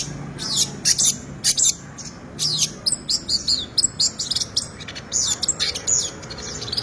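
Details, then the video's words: Long-tailed shrike in active, varied song: clusters of sharp, very high chirps and scratchy notes in quick bursts separated by brief pauses, over a low background hum. "CENDET GACOR FULL ISIAN MEWAH SUPER"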